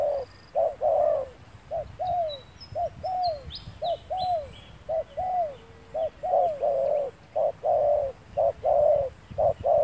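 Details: Spotted dove calling on a sunny day during trapping with a lure bird: a steady run of short, low, hollow coo notes, some slightly bowed, repeated about once a second, with faint thin chirps of small birds above.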